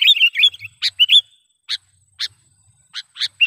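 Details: Sooty-headed bulbul used as a trapping lure: a quick bubbling run of whistled notes, then sharp single chirps spaced roughly half a second apart.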